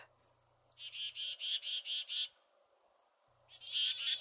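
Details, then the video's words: Chickadees mobbing a small Boreal Owl, a dangerous predator that draws extra dee notes: a high introductory note, then six buzzy, harsh dee notes in a rapid even series, followed by another call starting. "The Sound of Chickadees mobbing a small Boreal Owl"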